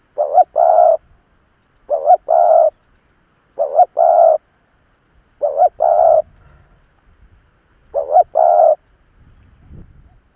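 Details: Decoy spotted dove calling to provoke wild doves, repeating a double coo phrase, a quick doubled note then a longer rolling coo, five times about every two seconds, over faint low rumbling.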